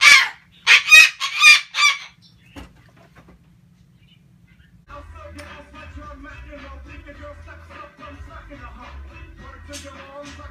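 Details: Pet male sulphur-crested cockatoo ranting, opening with four loud, grating screeches in fast succession over two seconds, then falling quiet under a steady low electrical hum with faint rustling and chatter.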